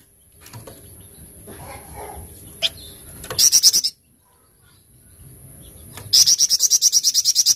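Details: Golden-bellied gerygone (flamboyan), tembakan cadas style: after quiet rustling, a short volley of shrill repeated notes, then silence, then a longer fast series of about a dozen sharp high notes.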